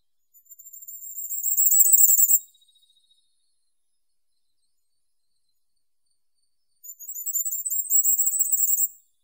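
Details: Firecrest song heard twice, each phrase a fast run of extremely high, thin notes lasting about two seconds and growing louder toward the end, with a long quiet pause between and a clean, still background.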